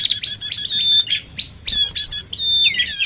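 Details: Bar-winged prinia lure track combined with common iora: clipped, high chip notes in quick runs, then a drawn-out clear whistle followed by rising, scratchy chatter.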